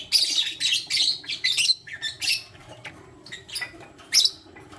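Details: Lutino lovebirds, a male choosing between two females, morning chirping: a rapid string of shrill, raspy chirps in uneven bursts, thinning out toward the end before one last sharp chirp.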